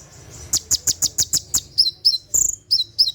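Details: At night a caged sunbird delivers its 'tembakan' song, used for training other caged birds: a fast run of six evenly spaced piercing ticks, then several thin downward-sliding whistles and a longer trilled note.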